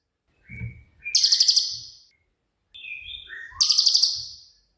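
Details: Cililin, a shot-style songbird kept as a master voice for training other songbirds, gives two harsh, very high rattled bursts of quick pulses, each preceded by short thin whistles and low soft thumps.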